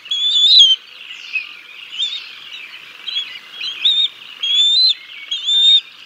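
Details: Decorah North nest, 6 May 2022: a bald eagle father feeds fish to the chicks until the mother arrives; a loud opening whistle, then quieter thin notes and several rising piped calls spaced about a second apart.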